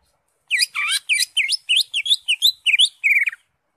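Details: Cucak hijau (Greater green leafbird) in full ngentrok song: a rapid, varied string of about thirteen sharp chirps and slurred twisting notes, packed closely together over three seconds, with no other sounds.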